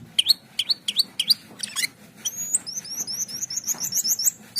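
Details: Asian pied starling, a bird in full song: sharp upslurred whistled notes, a harsh buzzy burst, then a quick run of high rising whistles repeated about four times a second.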